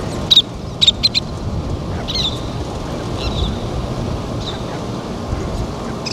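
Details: Least tern feeding chicks: a few sharp high chirps open the clip, followed by softer drawn-out high notes repeated at intervals, with light wind noise.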